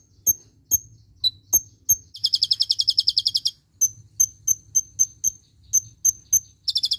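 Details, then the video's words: Kolibri ninja (konin) song with "tembakan clilin" fill, recorded for training other songbirds: sharp high chip notes repeated roughly twice a second, broken by fast rattling trills of buzzy high notes lasting about a second; faint low background hum. "Suara kolibri ninja(konin) isian tembakan clilin untuk masteran"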